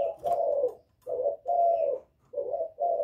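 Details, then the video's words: Rival-provoking call of a spotted dove in the 'Thổ' voice: deep, rich coos, a longer rolling note, then two more short-long pairs, steady and loud, with a faint click at the start. "Cu Gáy Giọng Thổ GÁY GỌI kích bổi cực hay, cu gáy một hậu hạp bổi, cu đất gáy kích bổi, cu cườm gáy"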